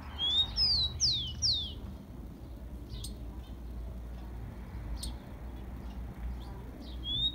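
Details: Tico-tico, the rufous-collared sparrow, sings a warm-up song for captive birds: an opening whistle and three quick downslurred whistled notes, then quiet with scattered faint chirps and a lone whistle at the close.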